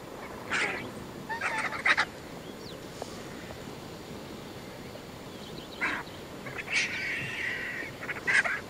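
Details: Wild vultures of three species squabble at a buffalo carcass on the Shingwedzi riverbank, Kruger National Park; short croaking honks and rasping bursts come in clusters, with quiet gaps between them.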